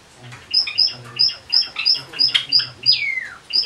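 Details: White Java sparrow kept indoors on 25 October 2013, sharing the room with males let out of their cages; sharp high chirps repeated about three times a second, closing with one long slurred falling note.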